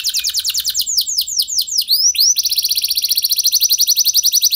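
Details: Lively canary song used to prompt other canaries to sing: rolling trills and downward swoops lead into a long, very rapid, even trill of high notes.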